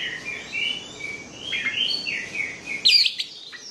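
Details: Orange-headed thrush singing, used to stir lazy, silent birds into song: a varied run of whistled and slurred phrases over steady background hiss, ending in a sharp high burst of notes.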